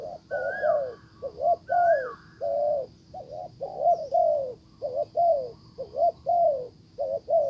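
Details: Spotted dove decoy calling to a wild bird, which ignores the lure; low throaty coos in uneven groups of two and three, two sliding whistles early on, faint steady high hiss.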